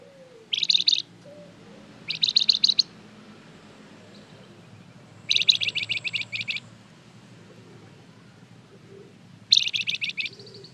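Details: Golden-bellied gerygone singing a lure meant to draw replies from other birds: four short bursts of rapid, high, pulsed notes, each under a second, separated by quiet gaps over a soft background hiss.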